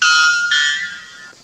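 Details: A white bellbird, a mountain bird of the north-eastern Amazon, gives its mating call, reported up to about 125 decibels: one deafening, metallic two-part note, a ringing tone that shifts abruptly halfway through, then fades over about a second.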